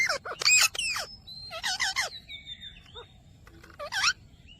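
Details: Ringneck parakeet saying "Mitthu Mitthu": a rapid cluster of harsh voiced syllables at the start, a wavering middle phrase, then a final rising-falling word, with thin whistles from other birds.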